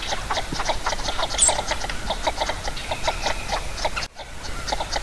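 Northern Shoveler giving a steady run of short, hollow clucking notes, several per second, over a low background rumble with a brief break near the end.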